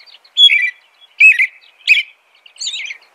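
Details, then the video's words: An American robin gives four separated whistled phrases, the first starting with a pure high note before falling, the last softer and higher, all spaced under a second apart against a quiet background. "American Robin Song.(Turdus migratorius)."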